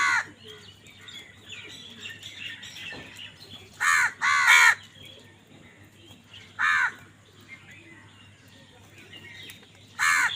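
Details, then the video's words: Crows fighting over food, loudly calling: harsh, rasping caws in short bursts, a quick pair near the start, then single caws spaced a few seconds apart, with a faint low hum and quieter background chatter between them. "কাকের ডাক Crow Sound Crow ki Awaz Loudly | Crow bird Fight for Food"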